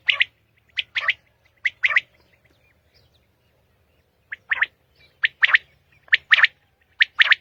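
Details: Common quail song at dawn in Pakistan: quick, sharp triple-note phrases in two bouts separated by a few seconds of quiet, the notes bright, clipped and evenly spaced within each phrase.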